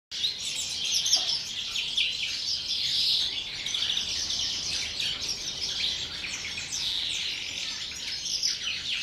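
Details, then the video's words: European greenfinch singing in the pre-breeding season, a song labelled "pegajoso": a continuous, dense stream of high twittering and trilled notes with no clear breaks, over a faint background hiss. "canto del Verderón, precría"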